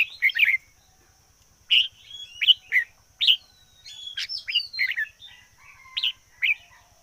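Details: Red-whiskered bulbul decoy bird singing varied chirpy phrases: short rich warbles, thin rising whistles and a quick jumble of notes, with a soft regular ticking and a steady high hum behind.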